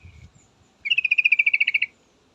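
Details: Female yellow-vented bulbul calling to a male: a loud, steady chatter of about fourteen evenly spaced, ringing notes lasting one second, after faint low background rumble.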